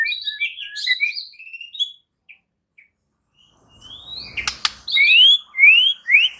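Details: White-rumped shama singing: varied whistled notes, a pause, a sharp click, then loud rising whistled sweeps repeated about once a second.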